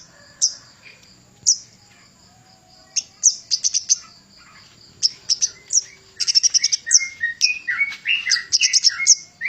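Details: Javan cochoa singing as a master for training songbirds: spaced high sharp notes building into a busy, varied stretch of quick chirps mixed with lower slurred whistles.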